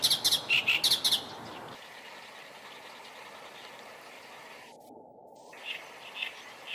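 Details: Oriental reed warbler singing about 8 m away, a bird that stayed perched over ten minutes while filmed handheld on a compact camera; a burst of harsh, rapid chattering notes fills the first two seconds, then near quiet with a few faint chirps.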